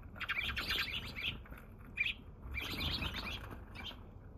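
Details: Wild sparrow visiting in the morning on 27 March in Japan, the first to arrive that day, filmed until it flew away: bursts of bright, chattering chirps in quick clusters, pausing briefly, over a low background rumble.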